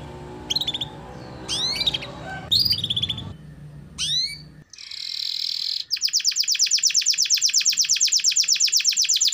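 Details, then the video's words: Canary singing gacor: scattered sharp chirps over low rumbling noise, a brief buzzy passage, then a sustained, very fast rolling trill of high repeated notes for the last few seconds. "Pancingan Suara Burung Kenari Gacor"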